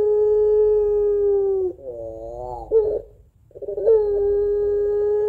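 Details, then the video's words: Puter pelung dove, a Barbary dove kept at home, singing its long crying two-note song. A held steady tone fades into a wavering break, a short silence, then another long level note. "Puter Pelung Gacor Suara Menangis Panjang Kuwok 2 Not Sangat Cocok Buat Pancingan Puter Dirumah"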